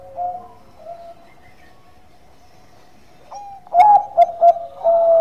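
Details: Bangkok-type zebra dove singing a calm lure song: soft, low cooing at first, then a loud sequence of three clipped coos ending in a long, level note.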